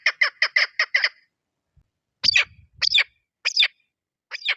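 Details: Lure female chukar partridge giving a quick burst of five clipped notes, then after a gap a few slower, drawn-out, rising calls spaced about a second apart, with a low rumble beneath one.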